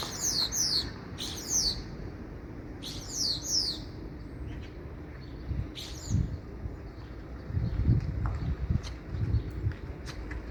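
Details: Common starling uttering buzzy, downslurred calls, often in close pairs, with a few scattered fainter notes and some low thumps later on.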